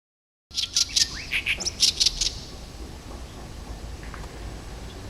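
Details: Oriental reed warbler (Acrocephalus orientalis), arrived in early summer behind a house, sings morning and evening to attract a mate. It gives a quick burst of harsh, grating, chattering notes for about two seconds, then only faint background hiss.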